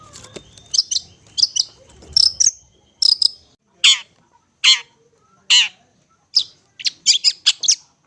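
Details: Long-tailed shrike singing vigorously: short buzzy, chattering notes and a few downward-sweeping strained notes in bursts about a second apart, ending in a quick cluster of high chips.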